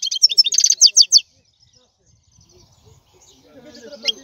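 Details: European goldfinch song: a brief burst of rapid, tinkling, high twittered notes in quick pulses lasting about a second, then near silence with faint low murmurs.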